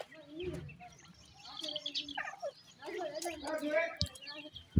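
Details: Feeding black francolin chicks give quick twittering peeps and bent, slurred chirps in short bursts, several birds overlapping, with a few low knocks and handling sounds.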